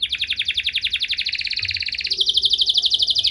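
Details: Canary pouring out a rapid rolling trill of short whistled notes, several per second, changing tone midway, with faint background hiss.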